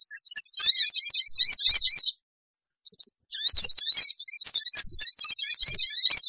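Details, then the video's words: Sogon lure sound meant to make wild birds gather fast: continuous shrill, warbling chatter at very high pitch, broken once by a two-second silence and a brief double note. "suara pikat burung kecil sogon bikin sogon liar cepat ngumpul"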